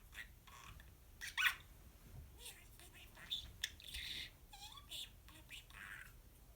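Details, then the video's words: A pet budgerigar kept indoors, one that says many words, here producing rapid, squeaky, whispery speech-like chatter with scratchy broadband bursts and a few short rising whistles, loudest around the middle, in a quiet small room. "Larry the Parakeet says Poopy Bird"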